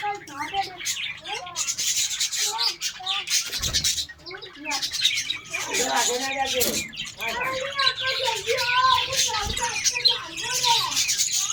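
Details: Colony of Australian parrots chattering at length: bursts of warbled, wavering notes and harsh squawks from many birds, with occasional knocks and rustles.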